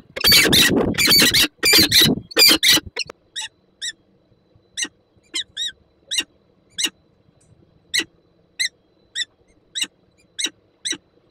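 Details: On 5 April 2022 in Słupsk, Poland, a peregrine falcon calls at the nest around a prey gift and a meeting with its mate. A burst of harsh raspy calls fades into short, thin, regularly spaced squeaky chips.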